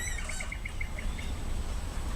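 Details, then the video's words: European green woodpecker heard in the background near the Urdaibai marsh, 4 June 2020, evening session: about ten clear, laughing notes, slightly falling and slowing, over a steady low rumble. "Mira, aquí por detrás se escucha el pito verde, pero este es el picamaderos negro."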